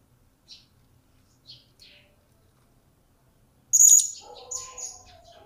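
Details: Blue-crowned hanging parrot, newly acquired and kept in captivity, starting to vocalize: a few faint high chirps, then a loud piercing shrill note followed by more high squeaks, with lower rustling sounds underneath.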